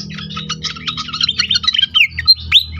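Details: Pied fantail, a lure recording meant to get other pied fantails singing quickly: rapid run of squeaky, high chips and short slurred whistles, growing louder and ending in sharp upswept notes, with a faint low hum beneath.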